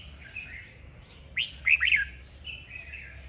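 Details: Red-whiskered bulbul in a singing duel, urged to get fired up: after soft warbling, a short burst of three loud, rising, slurred whistles, then quieter fluty notes.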